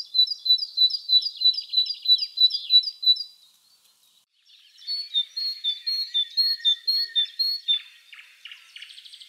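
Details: Wild great tit (Parus major) in spring, singing a rapid, regular series of bright two-note phrases, about four per second, pausing briefly, then starting a second, slightly lower run of paired notes, with faint bird twitters behind.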